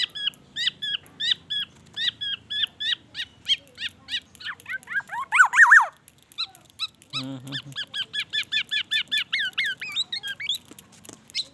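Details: Lively black-naped oriole song crammed with white-rumped shama imitations: a long, fast string of chirped and slurred whistles, a loud descending squealing flourish near the middle, a brief low buzzy note, then more rapid chattering whistles.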